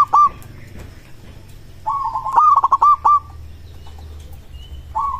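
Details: Local zebra dove singing, a sound said to make other doves reply immediately: a short coo, then a long rhythmic series of pulsed, trilling notes ending on held tones, and the start of another phrase at the end.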